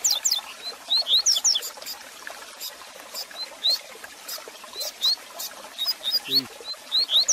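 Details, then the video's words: Double-collared seedeater song for stimulating a caged bird: irregular, clipped high whistles, some in quick pairs and short runs, scattered through steady hiss and ticking clicks, with a brief low knock. "Canto Para Esquentar seu Coleiro Com Fibra!!!"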